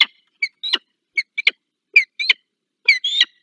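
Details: Peregrine falcon in Dolina Baryczy, Poland, 15 February 2023: a rapid series of harsh, chattering notes, about one burst every second, some doubled, with clean silence between them.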